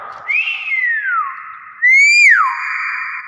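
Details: Nias hill myna repeating a pure whistle twice. Each note climbs, peaks and slides steeply downward, and the second is louder and sharper than the first. A steady humming tone runs throughout.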